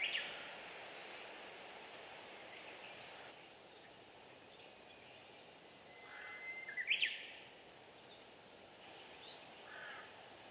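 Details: Japanese bush warbler singing in spring, 16 April 2020, among fresh greenery near Nison-in and Jojakkoji temples northwest of Arashiyama, Kyoto, Japan, captured on a JVC 4K camera. One song: a long, level whistle that ends in a sharp, quick flourish. Faint high notes behind.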